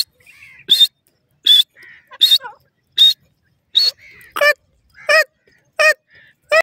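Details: Grey francolin in its natural surroundings giving loud, harsh, ringing call notes repeated roughly every 0.7 seconds in a steady series. Softer, lower notes sit between the loud bursts against an otherwise quiet background.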